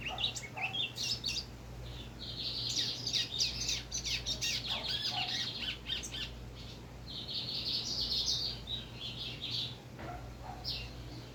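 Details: Rusty-collared seedeater kept under a cover, singing rapid bursts of high, twittering, chattering phrases over a steady background hiss and low hum.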